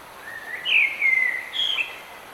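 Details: A bird singing in the rain, giving a rising whistle that flattens into a long warbled phrase, then a higher short note, all over constant rain hiss.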